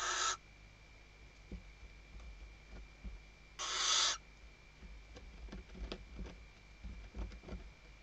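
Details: Female Western barn owl at Riet Vell Nature Reserve, Ebro Delta, Spain, 2023, calling the male while working nest material: two rasping screeches, followed by many small scratching and tapping sounds.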